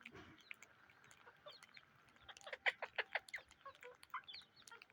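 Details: Indian ringneck parrots chattering: a run of quick, sharp, harsh notes repeated about three times per second, loudest in the middle, with softer scattered chirps before and after.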